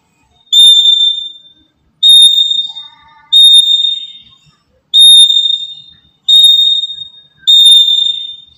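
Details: Loud, steady high whistles from a black-capped lory used as a lure for trapping birds. Each note is held about a second and fades out, repeated roughly every one and a half seconds, with one softer lower note between.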